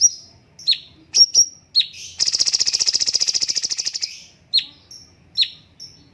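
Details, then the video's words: Straw-headed bulbul with sharp falling chirps before and after a steady fast buzzing rattle of about two seconds, pulses evenly repeated. "BURUNG CUNGKOK MASTER SUARA BAGUS"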